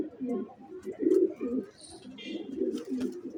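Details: Racer pigeon giving a run of deep, burbling coos, several pulsing phrases close together with short dips between them, with faint scattered knocks and a brief higher note in the background.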